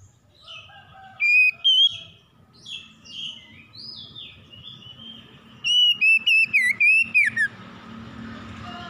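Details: Fast morning song of a magpie-robin, meant to calm a stressed bird. Two sharp whistles are followed by softer warbled notes. A rapid string of ringing whistles then slides downward, all over a steady hiss.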